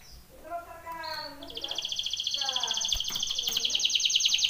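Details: Canary training song: soft harmonic warbling notes, then a bright, fast, even trill that holds for several seconds and grows steadily louder.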